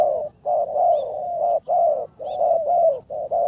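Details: Karom-style calling of a spotted dove being trained as a ground decoy: continuous, mellow coos run together in long phrases with brief gaps, with faint high chirps behind.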